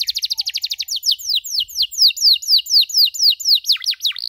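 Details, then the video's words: Tutor recording of a canary for birds learning to chirp: very rapid clipped notes, then steadily repeated bright down-sweeping whistles about three per second, finishing with a few deeper swooping notes; no other sounds. "MASTERAN KENARI SANGAT COCOK UNTUK PAUD YANG LAGI BELAJAR BUNYI CUIT CUIT"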